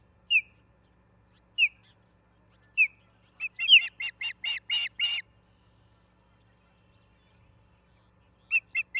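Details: Ospreys calling at a Charlo, Montana nest, 10/03/2023, 09:10, on a live cam; three spaced single whistles, then a rapid burst of about eight strident repeated notes, silence, and another short series at the end.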